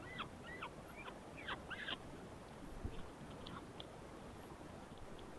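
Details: A secretarybird parent feeding its chick at the nest gives a burst of short, harsh, squeaky notes in the first two seconds, then a few fainter ones, over a steady low wind rumble.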